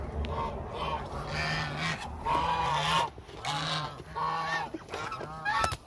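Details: Hungry flock of about a thousand Muscovy ducks: overlapping harmonic honking calls come in bursts roughly every second, with a steady low hum underneath.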